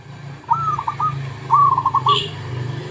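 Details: Zebra dove, lure song: two stuttering cooing phrases, a brief upslurred note running into quick pulsed beats, heard over a steady low engine-like hum, with a short higher chirp near the end.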